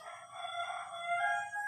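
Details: A rooster near a home kitchen, where it is heard in most breakfast-cooking videos, crows with a drawn-out, strained, nasal note that swells slightly near the end, over a faint background hum.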